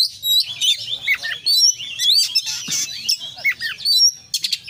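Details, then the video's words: Oriental magpie-robin pouring out full-isian song. Bright whistled notes and rapid chips come in a steady, busy stream, with a faint low hum underneath. "kacer gacor KONSLET full isian"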